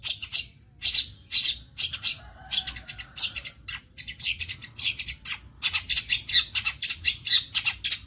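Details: Long-tailed shrike of the dark-headed form, kept as a bird, delivering a busy song of sharp, high chattering bursts and scratchy phrases, with a brief lower whistled note midway.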